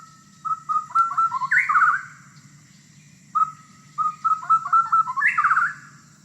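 A shama sings two rich whistled phrases, each opening with clear notes and ending in a fast rising flourish, about four seconds apart.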